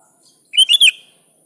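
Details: A single sooty-headed bulbul phrase used to call a rival: three fast linked notes, bright and liquid, rising then dipping, lasting under half a second.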